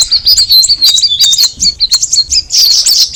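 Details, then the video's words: Straw-headed bulbul in rapid twittering song: a steady stream of high chirps and short whistled notes, turning into a denser, buzzier burst at the end. "the alluring sound of the cucak rawis bird"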